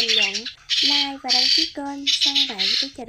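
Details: Migrating starlings, white-headed form, in a trapping lure: grating squawk bursts about every half second, separated by short gaps and interleaved with curved, warbling nasal notes.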